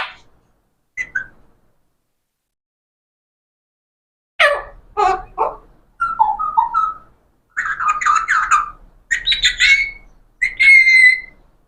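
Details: Talking parrot producing short clipped speech-like syllables, then wavering chatter and high whistled phrases in bursts, after a long quiet opening.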